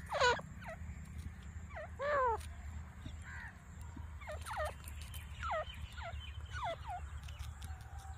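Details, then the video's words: Grey francolin giving loud, shrill, sweeping calls repeated in irregular bursts about every second, over a steady low rumbling hum. "Teetar ki boli"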